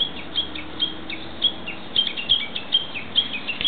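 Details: Japanese bush warbler calling among nature-park woodland trees: quick, uneven high chirps with downward-slurred companions, some notes crowding together, plus a few low thumps in the background.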